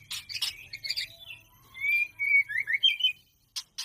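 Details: Whistled, sliding notes from a white-rumped shama during mating, preceded by harsh broadband bursts and followed by two sharp clicks.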